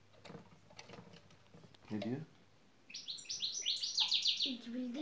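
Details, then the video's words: Goldfinch lesson song. A man talks first, then a brisk series of high, sharp, rising şak şak notes comes in strongly, and a voice speaks again as the run ends. "saka kuşun da şak şak nedir öğrendik."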